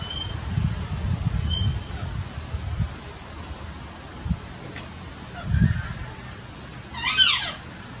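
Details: Pale-headed rosellas visiting again after a long absence, filmed about 25–30 feet away on 5 August 2016: one loud, harsh screech sweeping down at the end, with faint high whistles earlier over wind rumble and handling noise.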